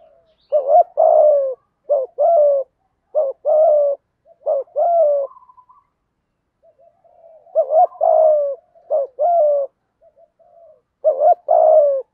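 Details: Spotted dove male and female cooing in the thúc gù style, used to lure wild birds: deep paired coos, a short hooked note then a longer falling one, repeated in bursts with quiet gaps and soft murmurs between.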